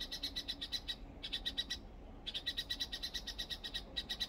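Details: Nesting pair of red-whiskered bulbuls on a potted perilla plant during their March breeding season. Rapid buzzy pulsed chattering comes in bursts of about a second, separated by short pauses, over a quiet background.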